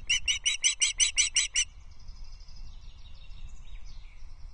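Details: Osprey at its Loch Arkaig nest on 19 May 2023, as the male brings a small breakfast that the female eats quickly. A fast run of about nine sharp, high chirping notes lasts under two seconds, then fades to quiet twittering and low rumble.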